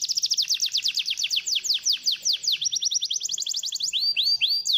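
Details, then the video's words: Canary song used to stimulate a lazy canary to sing: continuous fast trills of sharp high notes, shifting between rapid rolls and slower swooping whistled phrases, unbroken throughout. "PANCINGAN KENARI"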